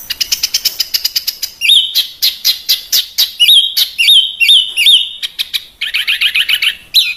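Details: Small burcil besetan songbird in a harsh master track for training birds kept at home or for contests; rapid staccato ticks lead into loud buzzy notes and repeated upslurred whistles.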